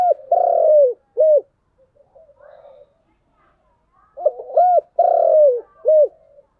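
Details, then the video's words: Spotted dove cooing in the giọng đồng song style: a three-part phrase of short, long falling and short notes, soft low murmurs, then the same phrase repeated. "Cu gáy giọng đồng"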